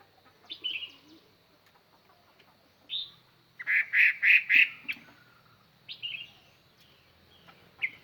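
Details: Chinese hwamei used as a decoy to call in wild birds: scattered short whistled phrases separated by pauses, with a louder cluster of four quick, bright notes in the middle over a faint background hum.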